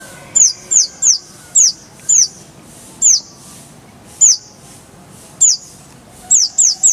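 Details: Konin (Oriental white-eye) song from a masteran training recording for songbirds: thin, high whistled notes sliding sharply downward, given singly or in quick pairs and triplets with short pauses between them.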